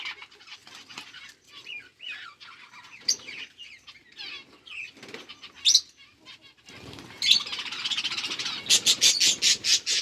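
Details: Budgies eating seeds, chirping in scattered, high twittering notes and short warbles. Toward the end come louder, rapid bursts of broadband rustling or flapping.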